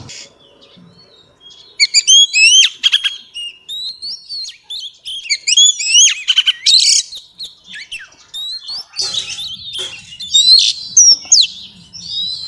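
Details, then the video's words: Oriental magpie-robin female sings to excite males. After a quiet start, a lively burst of varied whistles, sharp down-slurred chips and rising notes comes in irregular clusters over about ten seconds. "tiếng choè than mái xùy hót kích trống"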